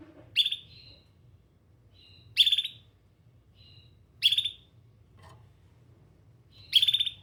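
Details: Caged canary giving short, bright, buzzy trilled bursts, each about a third of a second, repeated every two seconds, with soft high whistled notes between them and a low steady hum underneath.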